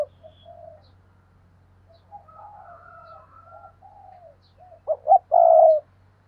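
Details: Spotted dove used as a decoy, cooing to call and excite wild doves. Soft, faint cooing early on, then a loud closing phrase of two short notes and a drawn-out low coo.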